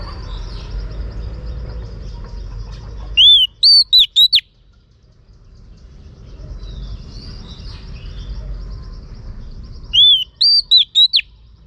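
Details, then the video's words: Female Oriental magpie-robin, calling to stimulate males: two brief phrases about seven seconds apart, each an arched whistle followed by rapid sharp whistled notes, separated by a soft distant twittering background. "Choè than mái kích trống hay nhất"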